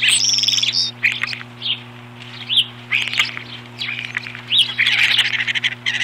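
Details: Osprey at the nest on 21 April 2015, driving off an intruder: strings of harsh high whistled calls rising and falling in urgent bursts, some long and wavering, with a steady low hum underneath.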